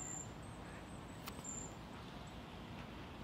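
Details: Eurasian treecreeper in Tivoli landscape park, Ljubljana, on 23 May 2023, giving thin, very high, drawn-out calls, several in quick succession, over a steady rumble of distant traffic.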